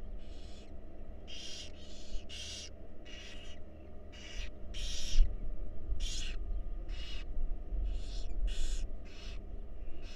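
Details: Many rasping hissy calls from wild barn owl owlets being fed, short broadband bursts tumbling in quick irregular succession from several chicks, steady hum underneath.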